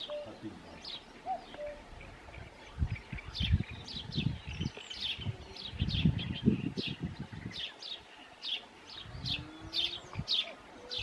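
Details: Eurasian penduline tit at its nest, during morning washing, giving thin, very high, short notes in quick irregular series, with low rumbling thumps and faint other bird calls underneath.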